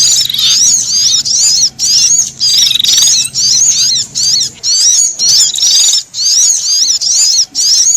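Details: Threatened sunbird calling in fright alongside a prinia, a mix meant to draw wild birds in: bursts of sharp, rapidly warbling high chirps and buzzy trills, separated by brief silences about every 0.7 seconds.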